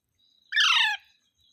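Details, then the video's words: Green parrot giving one short, harsh, buzzy squawk lasting under half a second, gently falling in pitch, against a quiet background with a faint high whine. "Mitthu Mitthu Parrot Sounds | मिट्ठू मिट्ठू |Funny parrot sound"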